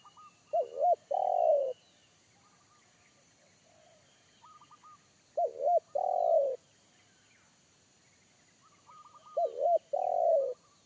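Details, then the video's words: Wild forest spotted dove with a big, deep 'kuk satu' voice that startled a trained decoy dove. Three phrases of two short looping coos and one long drawn coo arrive about every four and a half seconds, with soft high chirping in between. "PIKAT AJARAN T4KUT MENDENGAR SUARA TEKUKUR INI‼️SUARA BESAR NGEBASS"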